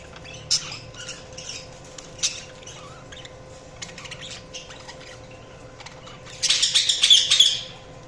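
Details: Budgerigars chirping: scattered short high chirps and clicks through most of the recording, then a dense burst of rapid buzzy chattering near the end.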